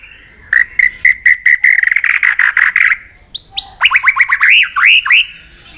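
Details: White-rumped shama, provoked and tail-flicking, giving intense fighting song: a fast run of about fifteen clipped notes on one pitch, then bright upward-sweeping whistles repeated in quick succession.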